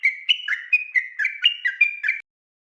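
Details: ["Sooty-headed bulbul singing persistently at night in rapid 'ropel' style, used as a master song for training other birds. A quick run of about ten clear whistled notes alternating between two pitches, lasting roughly two seconds."]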